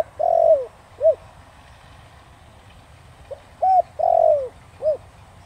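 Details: Spotted dove cooing in the Thổ Đồng style, meant to provoke wild doves into answering. Two mellow phrases, each ending in a drawn-out descending coo and then a short rounded note, separated by a quiet gap.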